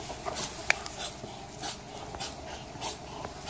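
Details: Muscovy duck heard at close range making a few breathy, wheezing exhalations with a brief sharp click near the start, the puffs spaced unevenly over a few seconds.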